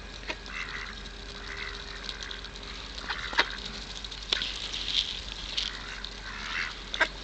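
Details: Several hungry ducks at the Kirchsee, Preetz, quack during feeding, with short nasal calls scattered through, sharp pecking clicks, and water and background noise.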